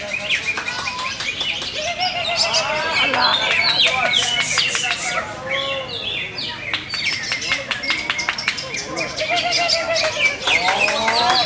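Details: Greater green leafbird, a caged bird with many contest wins, singing a dense, fast medley of sweeping chirps, rising and falling whistles and rapid buzzy trills, with brief pauses and voices of people in the background.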